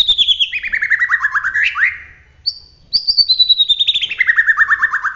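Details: Bahorok white-rumped shama from Medan singing in rolling style: long runs of rapid whistled notes stepping steadily downward, a brief pause with a thin high whistle, then another descending run.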